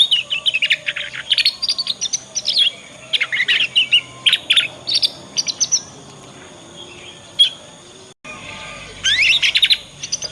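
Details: Young Yorkshire canary in learning song, ngriwik style, played to prompt other canaries to answer and copy; dense high twittering phrases of rapid chirps and trills for several seconds, a pause, then another burst.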